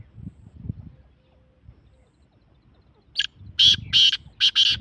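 A black francolin gives a loud, harsh, grating series of about five rasping notes in quick succession, after a few seconds of faint low rumble.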